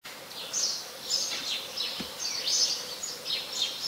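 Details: House sparrow recorded in Ubon Ratchathani, Thailand, on 5 February 2020, where it is a very common resident; a run of short, high, bright chirps repeating several times a second over a low steady hum.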